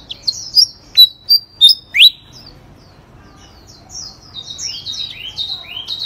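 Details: A prize-winning songbird, third in a singing contest, opens with five loud sharp whistled notes about every third of a second, then runs into softer rapid twittering.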